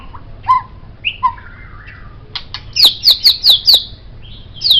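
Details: White-rumped shama, kept as a master song for training songbirds, giving low fluty whistles, then a burst of five evenly spaced high falling notes and a final high note.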